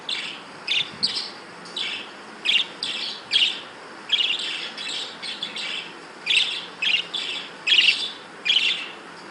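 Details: Breeding budgerigars give a run of scratchy, high chirps in short bursts, about one a second and unevenly spaced, over a soft background hiss.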